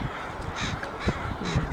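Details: Crows turned out in force and very noisy on the day at the dock at Piper Spit on Burnaby Lake: harsh, hoarse caws in quick succession, about three bursts half a second apart, over a busy open-air background.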